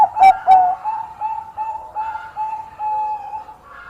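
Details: Bangkok-type zebra dove in full, persistent song, skilled at luring rival singers: two sharp, loud coo notes open, then a long run of soft, level cooing tones follows in steady pulses, dropping slightly in pitch before fading.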